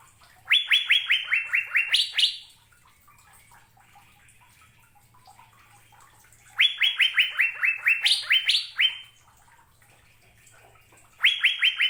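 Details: Asian fairy-bluebird (cucak biru) giving repeated bursts of quick descending whistled notes, each burst about two seconds long and ending with higher emphatic notes, separated by several seconds of near silence.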